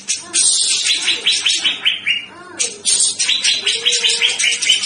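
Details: Male Grey-cheeked bulbul, a lively singing bird used as a training recording, in loud, harsh chattering song: quick runs of buzzy, slightly falling notes, two or three a second, over a faint low whistled note.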